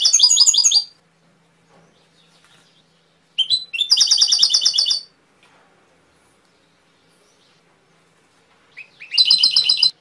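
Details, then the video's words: Canary song in short separated bursts: brief fast trills of high notes, each under two seconds, with long quiet gaps between. "KENARI SUPER!!! HANYA UNTUK PECINTA BURUNG KENARI YANG TULEN"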